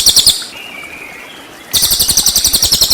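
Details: Cililin song of full 'tembakan' bursts, recorded as training material for white-rumped shamas: very high, rapid pulsed trills repeated in quick beats, broken by a quieter gap with a faint thin whistle before the trilling resumes.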